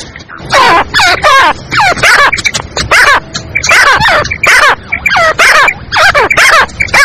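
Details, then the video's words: Black francolin, described as a female, calling to draw other francolins in quickly. Loud, harsh harmonic notes with wavering, downward-bending phrases come in dense bursts with short gaps, several calls overlapping. "Teetar ko Jaldi bulani aur Masti men lane wali Awaz تیتر کو جلدی بلانے اور مستی میں لانے والی آواز"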